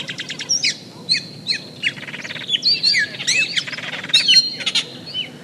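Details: Flock of Austral Blackbirds, highly social Chilean birds with many different notes. Rapid repeated chips start off, followed by rattling buzzes, clear whistled slurs and sharp squawks in a dense, varied chorus throughout.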